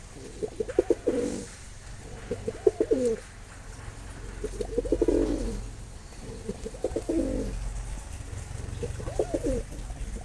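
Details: Five evenly spaced coo phrases from a Mosaldom pigeon, roughly every two seconds, each a burst of quick pulses rolling into a low swell, over a steady low hum.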